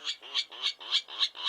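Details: A Virginia Rail gives a steady run of six harsh, raspy, fairly high-pitched notes, about four per second and evenly spaced, a call likened to a pig grunting, with no other sounds.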